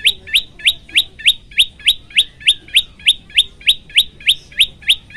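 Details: Tailorbird, called prenjak lumut, in full vigorous song for bird training: a strongly rhythmic string of sharp, rising chip notes, about three per second, repeated evenly throughout with a quiet background.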